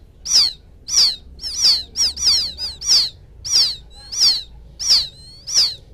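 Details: Lure recording of a young field quail calling its mother: a steady run of shrill, downward-sliding peeps roughly every 0.6 seconds, with a few quicker doubled notes near the middle.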